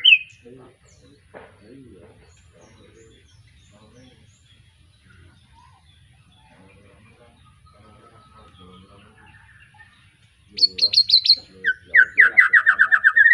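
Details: Young white-rumped shama just after moulting, of the Arko Tangerang line, from Petarukan, Pemalang: near-silence for ten seconds, then a loud burst of sharp high chips followed by rapid, repeated whistled notes.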